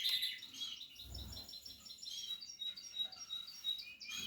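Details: Portuguese harlequin canary kept for breeding, at the nest-building stage, giving a high twittering song of quick chirps and short trills, with brief low rustling in the background.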